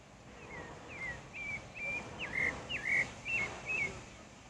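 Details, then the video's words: Pale-breasted thrush, Turdus leucomelas, singing in the wild: a run of short whistled phrases, each sliding down or bending, repeated about twice a second over faint background noise. "Sabiá barranco cantando na natureza"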